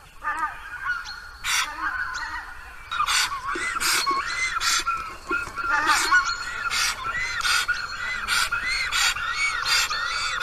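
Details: A black stork at its nest in Karula National Park on 10 April calls in vain for its mate, which did not return from last year: hoarse, wheezy, honking notes and breathy bursts, repeated every second or so for ten seconds.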